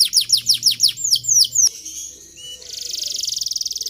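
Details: Canary song meant to teach young canaries to sing and roll long: repeated downward-sweeping notes about four per second, a brief pause with a short whistle, then a high continuous rapid trill.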